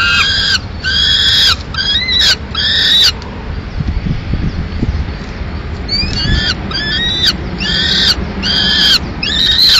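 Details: A pair of peregrine falcons at a nest in Madrid on 15 May 2016, the male delivering a live swift that the female kills. Bursts of stacked calls, then a quieter pause, then renewed series of call notes.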